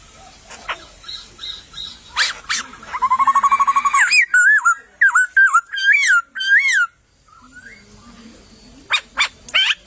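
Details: Song of a white-crested laughingthrush in a wild bamboo thicket: a buzzy trilled rattle, then a run of looping whistled notes, with sharp clicks and low background murmur between phrases.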